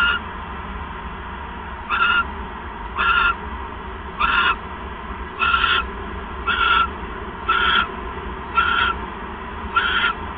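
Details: Owl calls during an evening bonding visit, 7 January 2015, on a live camera: eight short, hoarse, wheezy notes at fairly regular intervals of about a second, each with a faint whistled tone, over a low electrical hum.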